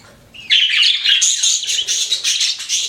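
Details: Pet budgies chatter continuously after a quiet start, a dense run of scratchy, warbling high notes with quick rising and falling squeaks.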